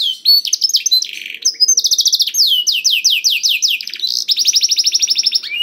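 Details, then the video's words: A canary sings to prompt other canaries that are slow to sing, pouring out rapid rolling trills, a short harsh buzz, then a run of falling whistled slurs and another long even trill. "KENARI GACOR DOR INI MEMANCING KENARI YANG SUSAH BUNYI JADI IKUT GACOR"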